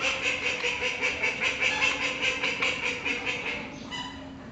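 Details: Call ducks, the world's smallest domestic duck, calling loudly while following a staff member at high speed on a walk: a fast stream of harsh, nasal quacks, several overlapping, about two or three a second, fading toward the end.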